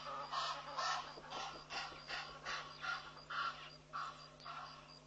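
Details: Egyptian geese flying off from Pete's Pond in Mashatu Game Reserve, Botswana, on April 21, 2013, near a cautious impala ram; softer, uneven bursts of hoarse honking, roughly two a second, fading and returning over a low steady hum.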